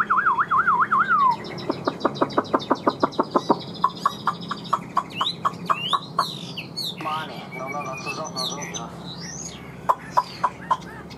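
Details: Chinese hwamei, newly arrived and caged, in northern Vietnam as rain threatens: a brief warbled whistle opens into a long rapid series of sharp repeated notes, then varied high slurred phrases and trills, with faint background noise.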